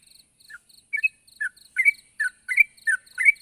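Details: Sooty-headed bulbul calling to a rival: loud, bubbly two-part chirps roughly every third of a second, growing stronger, with thin, regular high ticks between them.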